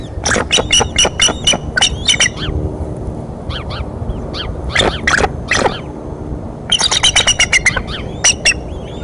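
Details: At the Decorah nest on 30 March 2015, the mother eagle's outburst startles two eaglets: loud staccato chattering in rapid runs, pausing midway, then resuming fast, over a rumbling background.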